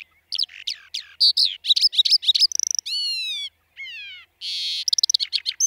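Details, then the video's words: Skylark (Alauda arvensis) song made of high chirps, rapid ticking trills, falling whistled slurs and a buzzy burst, delivered in separate fast phrases with short silent gaps. "Kiurun / Leivon laulua | Skylark Singing"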